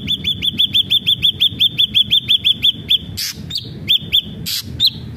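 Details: Ashy drongo singing vigorously, used to coax others into song. A fast, even run of about sixteen short hooked whistles, roughly three per second, gives way to sparse whistles and two loud harsh bursts.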